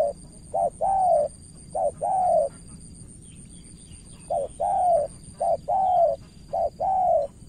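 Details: Vietnamese spotted dove from Cà Mau acting as a decoy toward a crafty rival. Soft paired coos, each a short note then a longer falling hum, break briefly after three pairs and resume, with a faint steady whine.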